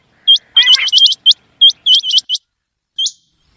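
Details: Quail heard in the morning, a call used for quail hunting: bright, upswept whistled notes in fast clusters, with one brief low rattling burst near the start.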